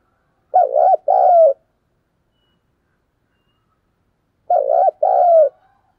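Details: Decoy spotted dove giving urging and calling coos used to lure wild doves: two low, throaty coo phrases, each a quick double note followed by a longer rolling coo, about four seconds apart, with silence between.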